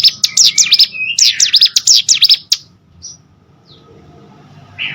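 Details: Hill prinia singing, a training recording for competition birds: two seconds of quick, shrill zig-zag chirps, then near silence with a couple of faint high notes.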